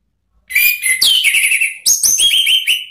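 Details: An orange-headed thrush, recorded as a lure call to provoke a rival, sings a loud, rich run of high whistled and chattering notes, shifting phrases quickly with barely a pause over three seconds.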